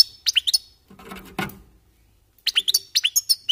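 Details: Goldfinches warming up with short, sharp tinkling chirps, interrupted by a brief low scraping noise, then a quick series of clear twittered notes.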